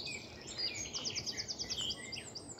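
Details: A garden warbler on a bright, chilly, sunny morning on 24 April 2021 sings a quick, high warbling phrase with a run of rapid repeated notes inside a busy, bubbling stream of sound, over faint background noise.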